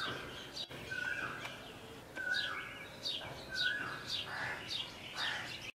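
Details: Female purple sunbird in Lahore Cantonment, Pakistan: short, thin, descending chirps come in a quickening series after a quieter opening, over steady low background noise.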